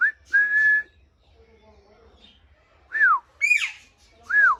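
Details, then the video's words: Whistling parrot indoors: a rising note into a long level whistle, then two arched whistles that rise and drop, with a brief squawk between them and faint low murmurs. "Parrot whistling full enjoyment"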